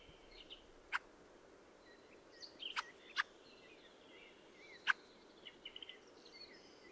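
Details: Fieldfare (Turdus pilaris) with spaced loud harsh chack calls, one single, a pair and another single, woven through soft squeaky chattering song phrases.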